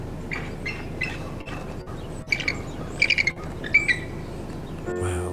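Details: Very vocal bald eagles in Northern Ontario, on the way to Thunder Bay, making varied calls: thin, high chittering notes in short bursts of two or three, repeated over several seconds, over a low hum and faint music.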